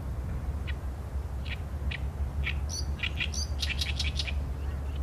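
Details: Oriental reed warbler singing, recorded with a Sony A7M3 camera: harsh, scratchy chattering notes, spaced at first and then quickening into a dense grating run toward the end, over steady low background rumble.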